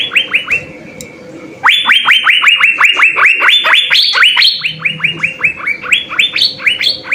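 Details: Asian fairy-bluebird, singing actively with full fill-in phrases, recorded as a master for songbird training. A short burst of rising whistles, a quieter gap, then a long steady run of quick upslurred notes with occasional higher accents.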